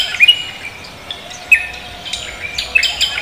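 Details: Cucak kombo singing actively at morning: brief high whistled chirps spaced unevenly about a second apart, mixed with softer trills from other birds in the background.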